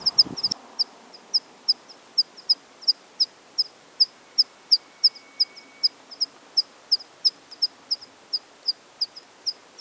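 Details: Spring song of a water pipit in breeding plumage: a long run of high, sharp notes repeated about three times a second, after a brief low knock at the start.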